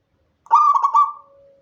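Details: Single song phrase from a local Indonesian zebra dove, recorded at night without remix: four quick stuttered coo notes running into a level tone, followed by a faint, lower drawn-out trailing note fading away.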